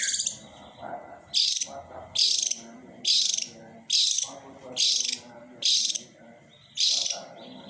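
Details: Long-tailed shrike giving loud, harsh rasping bursts, each under half a second, repeated about once a second in an even series of eight, with quieter chatter between them.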